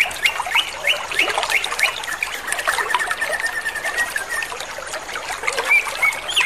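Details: Greater green leafbird singing in a rapid trotol style: a dense, energetic stream of quick chirps, slurred whistles and sweeping notes, with a short steady whistled note held near the middle.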